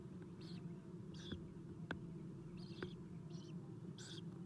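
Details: Inside an Eastern Screech-Owl nest box, early morning of 4-11-2016, as the mother feeds her owlets: soft raspy chirring bursts roughly every half second to second, mixed with sharp tapping clicks and a low steady hum.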